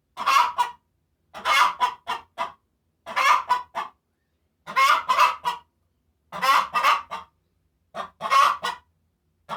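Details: Hen cackling after laying an egg: loud harsh bursts of clucks, each group of several notes, repeated about every one and a half seconds.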